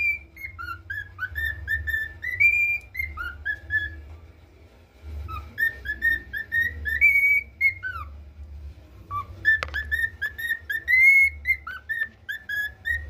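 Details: Three repeated attempts at the national anthem by a male pet cockatiel in training: each phrase of clear whistled notes climbs, wavers and ends with a downward slide, with quiet gaps and low room hum between.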